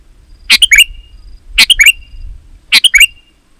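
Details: Sooty-headed bulbul song meant to lure other bulbuls to reply: three bright phrases, each a quick burst of chirps ending in a short whistled tail, with a low rumble of background noise.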